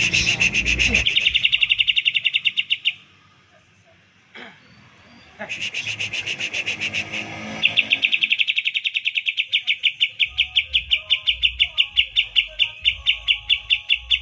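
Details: Caged green leafbird in a rapid 'tembakan' bout used to trigger other birds into singing: long runs of fast, high, pulsing notes, broken by a short pause, then a sustained, steadily repeated chattering stream.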